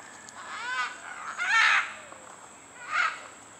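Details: A Great green macaw in Costa Rica, announcing its arrival at Pierella Ecological Garden, gives three harsh, raspy squawks, two close together and a third after a short pause, over a steady high-pitched hiss.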